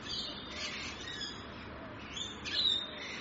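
Rainbow lorikeets screech and chatter continuously in harsh, high, rasping bursts, several birds overlapping, with a louder shrill squawk near the end.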